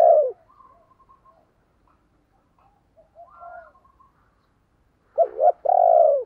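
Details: Decoy spotted dove used to provoke wild doves to call. A loud coo at the start, then quiet soft warbling notes, and a strong deep double note with a long falling coo at the end.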